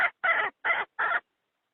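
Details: Chicken hen voice used as a trap lure for wild birds: four raspy clucks about a third of a second apart, the first clipped and the rest fuller and slightly drawn out, then silence.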